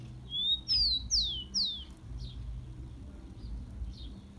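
A Rufous-collared sparrow sings a clear whistled note followed by three high, sweeping down-slurred whistles. Fainter repeats trail off over a low background hum.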